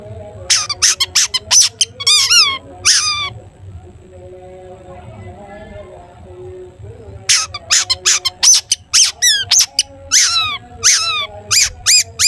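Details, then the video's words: Long-tailed shrike in full 'toet toet' song used to prompt other shrikes: fast series of sharp chips and arched, down-curving whistles, a pause of about four seconds, then a second dense burst of repeated notes. "cendet gacor TOET TOET buat pancingan cendet agar bunyi"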